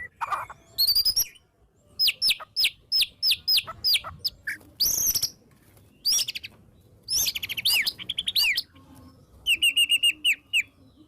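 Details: Song of a white-rumped shama, played as a lure to prompt shamas to sing: varied high whistles and sharp downward-sweeping notes in bursts, with short pauses between phrases.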